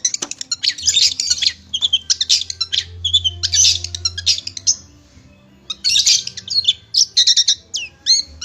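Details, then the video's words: Captive long-tailed shrike delivering loud, dense bursts of harsh, buzzy chatter, pausing briefly, then resuming with rapid high notes and upward-sweeping whistles; a low hum sits underneath. "masteran burung cendet"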